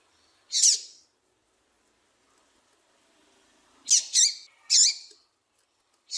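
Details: A female double-collared seedeater of the 'piadeira' calling style, used to warm up males to sing, gives sharp high chips: one alone, a tight pair, another single after a pause, then one more at the end, in quiet surroundings.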